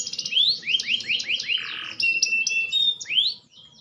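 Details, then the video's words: Green canary, maturing: series of rising whistled slides repeated about twice a second, with a short buzzy burst and thin high notes, over a faint low background hum. "burung kenari hijau makin dewasa wakin baik kicauan nya"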